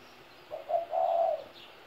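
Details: Soft three-part coo from a 17-year-old spotted dove: a quick low note, a short coo, then a sustained throaty croon lasting about half a second. The background is quiet.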